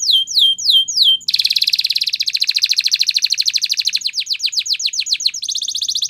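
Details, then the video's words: Spanish Timbrado canary song used for training: a few descending slurs, then a long dense rattling trill, shifting into rapid downward-swept notes and ending in a buzzy metallic roll. "Canary Singing Champion !! Spanish Timbrado Song"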